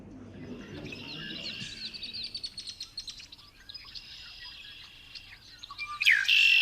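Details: Red-winged Blackbird song: a rapid, high trill of one repeated note, then a harsh buzzy ending, with a low murmur under the opening; shown as an example of signal degradation, since such trills degrade quickly and carry poorly.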